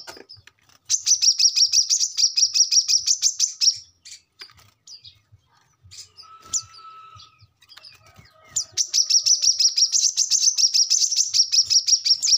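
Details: Brown-throated sunbird recorded as a training song for captive birds, giving long fast runs of high sharp buzzy notes, about three per second, separated by a quieter pause with faint chirps and a brief low whistle.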